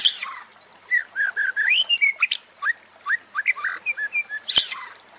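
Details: Meant to put white-rumped shamas into breeding condition, a varied song of clear whistled notes, rising and falling phrases delivered in quick succession, with a brief sharp click near the end.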